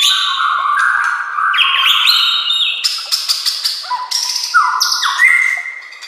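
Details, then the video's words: White-rumped shama master song for training caged birds: a continuous fast medley of fluty whistles, slurred glides and harsh buzzy chatter, with little pause between phrases. "SEKETIKA PASTI NYAUT dan GACOR bila murai batu anda dengar suara MASTERAN burung seperti ini"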